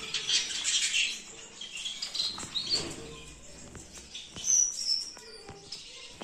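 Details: Gouldian finch calling: a cluster of thin, high chirps in the first second, scattered short squeaky notes after, and another bright high chirp near four and a half seconds, over faint rustling.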